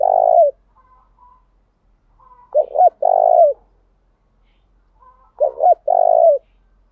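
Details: Spotted dove used as a decoy to lure wild doves and provoke them into a singing duel: a low mellow coo tail, then two full phrases of two short quick notes followed by a long throaty coo, about three seconds apart.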